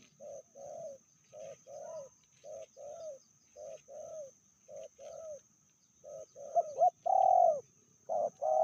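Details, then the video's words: Indonesian spotted dove, medium voice, from a pair whose female is called fiercer than the male. Soft paired cooing notes repeat quickly, then louder, rougher drawn-out coos with a wavering tone near the end. "Betinanya lebih ganas dari jantannya/bl suara sedang"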